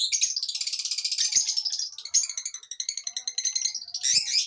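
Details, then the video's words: Lovebirds chirping: dense, continuous high-pitched chattering and rapid twittering trills, several overlapping voices with brief pauses, a small knock or two in the background. "Love Birds Chirping Sound"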